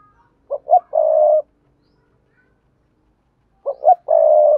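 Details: Spotted dove coo-song in sa thúc, gù and gáy styles, played to bring in wild doves; a pair of short notes then a long vibrant coo, given twice about three seconds apart in quiet surroundings.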